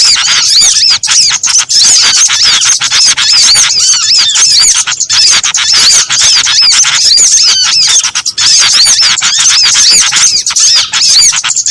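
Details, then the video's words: Mixed calls of small birds played as a lure for trapping birds: a dense, unbroken chorus of sharp, high chirps and quick rising-falling whistles from many overlapping callers, with no pauses. "Suara Pikat Sogon Ampuh Kombinasi Burung kecil"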